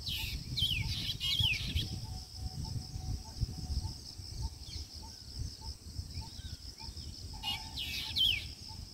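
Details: Black drongos at Harohalli Lake, Bangalore North, in mating season calling to each other: two bursts of harsh, metallic, rising calls, a steady ticking note about twice a second, and a low rumble behind.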